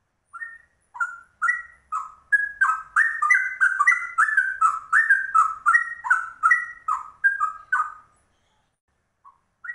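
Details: A rare trucuk singing like cucak rowo, starting with spaced whistled notes that speed into a dense rolling ropel of rich, bubbling phrases, then trailing off into a couple of soft final notes.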